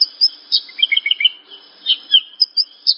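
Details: Horsfield's bush lark singing for training other larks: quick series of sharp, high chirps and slurred downward notes, several per second, irregularly spaced, with a short quiet gap midway.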